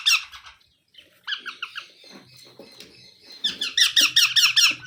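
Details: Young parrot giving rasping, rhythmic squawks in series, softer at first then a loud run of rapid harsh calls at the end, over a low background hum indoors.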